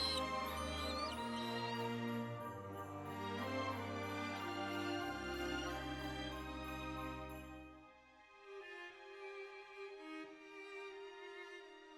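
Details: Orchestral music with jingling bells fills the clip, then fades to a softer, quieter passage; no animal calls are heard.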